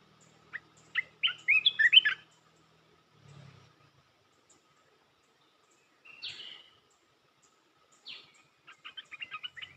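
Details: Red-whiskered bulbul singing rapid 'poet dok' song phrases: short bursts of bright, warbled chirps around two seconds in, then a lone slurred note and a quick run of clipped notes near the end, separated by quiet gaps.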